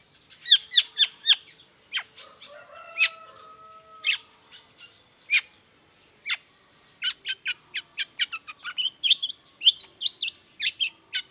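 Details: Long-tailed shrike in full morning song, a lure meant to prompt other shrikes to answer. A varied medley of sharp downslurred notes, drawn-out whistles and harsh chips ends in a rapid run of short squeaky notes.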